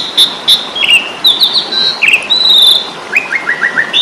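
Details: Asian pied starling giving a fighting-style song used as a tutor recording for songbirds: loud whistled notes near high pitch, a sliding warble, then a rapid series of short falling slurs.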